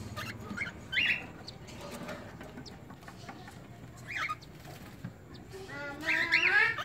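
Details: Two newly hatched Cockatiel chicks in a nest in Medan, Indonesia, give harsh, wheezy begging calls in short bursts that grow louder and more insistent.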